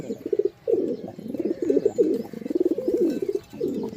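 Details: Low, soft pigeon coos in quick overlapping bursts, a warbling throaty rumble that rises and dips, broken by one short gap near the start.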